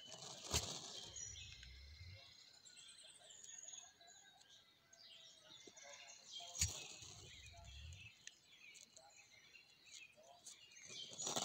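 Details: Criollo domestic turkeys dancing in the Mixes: a sharp puff followed by a deep, low rumbling drum lasting about one and a half seconds, heard twice about six seconds apart, over steady high insect buzzing and faint chirps.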